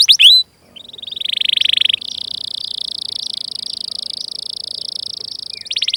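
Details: Canary song used as a training lure: quick opening chirps, then a long sustained buzzing trill held steady at a high pitch for several seconds, ending with a fresh burst of rapid notes.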